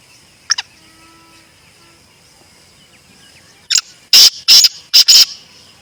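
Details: Black francolin (Kala Teetar), wild in Pakistan: near silence with a faint distant chirp, then a sudden loud series of harsh, grating, rasping bursts near the end, five or six in quick rhythm.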